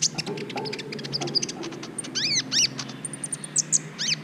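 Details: Training recording of a brown-throated sunbird for stirring mating urge in other birds: high chirps and a pair of loud, steeply arched notes, then thin high whistles, over a low background hum.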